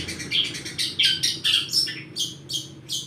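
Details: Scratchy, high mixed notes from a long-tailed shrike whose song carries imitated church sounds, delivered in short choppy phrases with a few brief whistled slurs.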